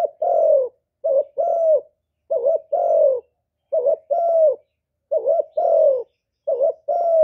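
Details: Spotted dove cooing to attract wild birds to the trapping site: low, mellow two-part phrases of a short coo then a longer drawn-out one, repeated steadily about once per second.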